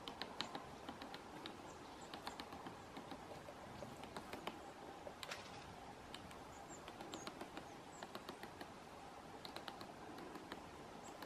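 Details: A great spotted woodpecker taps at a pine cone in a forest in November, in quick, uneven bursts of dry knocks, steady throughout, over a soft background hiss.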